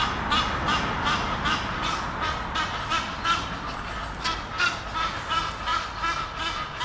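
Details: Near Henley upon Thames a pair of Egyptian geese up a tree, courting, keep up rapid rasping honks nearly three a second, rhythmic and harsh over a hissing background.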